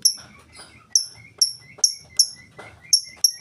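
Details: Lovebird giving ngetik ticking song without ngekek, meant to lure other lovebirds into singing: around eight piercing high ticks at uneven intervals, with soft lower chirps and a quiet background murmur between them.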